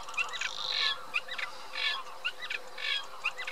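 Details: Eurasian reed warbler giving short scratchy phrases about once a second, each a small burst of chirps, with a thin high tone in the background.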